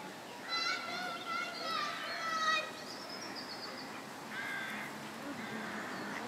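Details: Canada geese during egg laying on the South Pond in Midhurst, West Sussex, England: a run of loud, nasal, harmonic honks in the first two and a half seconds, then softer, drawn-out calls, with other birds chirping in the background.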